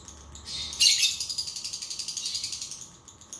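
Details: Lovebird song to prompt a lazy lovebird to sing: one harsh loud burst followed by a steady, high, rattling trill of quick, evenly spaced pulses.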